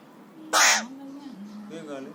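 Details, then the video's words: A 3-year-old pet Alexandrine parakeet, happy and excited, imitates a cough: one loud, harsh, cough-like squawk, then low, speech-like muttering ending in a faint buzzy chatter. "Parrot imitates Cough & Whistles & Screams"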